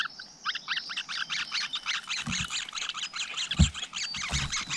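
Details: Flowerpeckers at a nest with a brood of chicks in the wild: rapid, scratchy chirps repeated steadily, several per second, with a few low thumps of handling or movement in the background.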